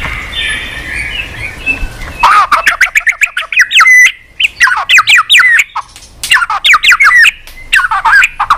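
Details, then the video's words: White-rumped shama singing persistently with many strange voices, urged on and flicking its tail; soft distant warbling gives way to loud rapid bursts of sharp sweeping notes in several fast runs separated by brief gaps. "chòe lửa hót cực bền.hót liên tục"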